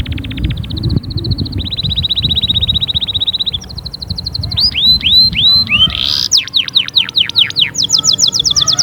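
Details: Caged canary singing a loud, varied performance meant to spur other canaries into song: rapid trilled tours, then looping slurred notes and fast downward-sweeping whistles, with low background hum throughout.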